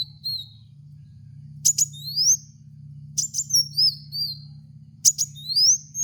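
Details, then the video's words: Kolibri wulung (kowul), a sunbird, used as a training lure for cage birds: very high thin chirps and rising whistled slurs in bursts about every 1.7 seconds, over a steady low hum. "apapun pasti langsung nyaut dengan pancingan suara burung kowul ini"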